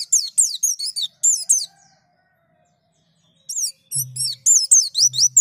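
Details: White-eye being prompted to sing: rapid runs of high, sharp downslurred chirps, a quiet pause of about two seconds, then the chirping resumes with faint low hums beneath.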